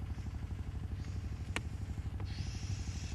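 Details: Vehicle engine throbbing steadily, with a few sharp clicks and a burst of hiss near the end; no animal calls.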